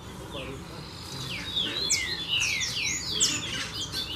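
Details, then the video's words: A crowd of saffron finches feeding on scattered poultry ration at a farm: a dense tangle of high, sharp, descending chirps and quick tweets that grows busier halfway through, with no other clear sounds. "Canário Da Terra aos Montes!!!"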